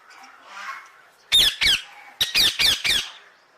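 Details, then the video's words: A parrot gives six loud, harsh squawks, two and then a quicker run of four, over a faint background hum. "parrot sound"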